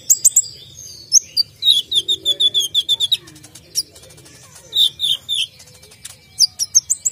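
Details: Brown-throated sunbird (konin), persistent sharp-voiced isian tembakan song: fast high chips open into a chain of buzzy descending notes, then scattered piercing phrases and short rattles.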